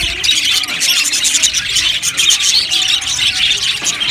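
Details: Many budgerigars chatter together in a colony aviary: fast, high squeaky chirps and short warbles overlap without pause for the whole stretch.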